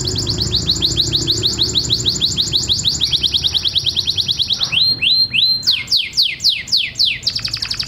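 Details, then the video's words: Canary singing for mating: fast, even rolls of high repeated notes, then a run of slower, sharply falling whistles spaced about half a second apart, before returning to a rapid trill. "Canto canario"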